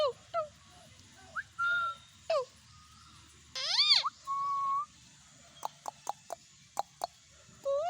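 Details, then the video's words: A pet talking Indian ringneck parakeet gives a string of varied whistles, rising and falling tonal notes, a harsh buzzy burst and sharp clicks, with short pauses between phrases. "parrot talking mithu | parrot sound"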